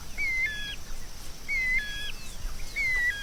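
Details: White-rumped shama song: a clear, slightly falling whistled note followed by softer lower notes, the phrase repeated three times about every 1.3 seconds over a steady background hiss.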